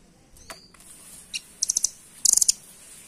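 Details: Velvet-fronted nuthatch, known locally as rambatan doraemon, offered as a master song for home birds: scattered faint ticks, then two quick bursts of high, hard chit notes, the last one louder and denser.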